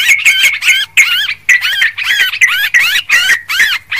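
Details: Lure recording of a rowdy Sooty-headed bulbul: fast run of bright, looping chirps, about three per second, bubbly and slightly harsh, continuing without a break.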